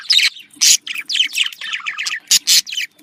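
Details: Pet budgerigars heard for breeding stimulation, female and male mating sounds; fast run of harsh squawky chirps and buzzy chatter, about two notes per second with loud scratchy bursts.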